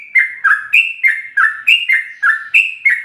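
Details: Fast ropel singing from a sooty-headed bulbul with full fill-ins, meant to train captive birds: lively chirpy phrases, each a bright whistle sliding to a lower bubbling note, closely repeated roughly every third of a second.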